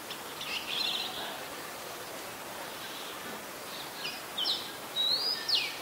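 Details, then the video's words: Adult Red-whiskered Bulbul (Pycnonotus jocosus) recorded in Ubon Ratchathani, Thailand, on 31 December 2020, giving brief bright chirps and a few clear whistled phrases with rising and falling notes over steady outdoor hiss. "นกปรอดหัวโขน (นกกรงหัวจุก, ນົກຫົວຈຸກ , ນົກຂວກ) /Red-whiskered Bulbul (Pycnonotus jocosus)"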